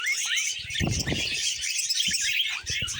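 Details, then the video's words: Budgerigars keep up their busy warbling and chirping while they feed on vegetables, with louder low rustling and crunching sounds breaking in around the middle and near the end. "Happy Budgies Singing"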